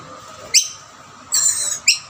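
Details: Rainbow lorikeets at feeding plates where a dominant male chases other birds away; one sharp screech, a longer shrill squeal, then another clipped screech.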